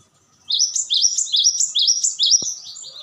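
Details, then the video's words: Cinereous tit song: a clear, high two-part whistled phrase rising then falling, repeated about five times at a steady quick pace after a short silence, with one soft click. "Dijamin burung glatik batu langsung respons."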